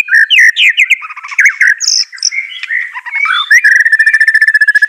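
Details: A white-rumped shama sings to stir a lazy bird into answering: varied whistles and warbles that end in a long, fast, even trill of repeated notes.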